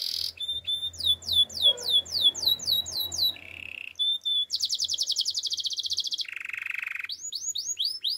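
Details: Russian canary song opening with quick repeated upslurred notes over a faint low hum, then a short buzzy trill, a bright fast rattling roll, a lower dry trill and more swept notes.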